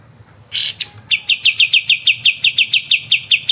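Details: Kapas tembak in lively ngebren song, used for tutoring songbirds: a harsh rising burst, then a steady string of sharp, high, evenly spaced chips, about four per second.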